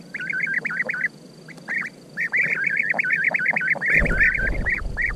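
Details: European bee-eater calling in rapid, overlapping series of rolling, trilled notes, each a short wavering burble repeated several times per second, with a brief pause before the chorus resumes; a low rumble of handling or wind near the end.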